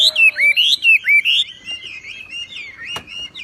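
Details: Javan pied starling song, a training recording: loud repeated whistled phrases rising and falling, then softer continuous warbling broken by one sharp click.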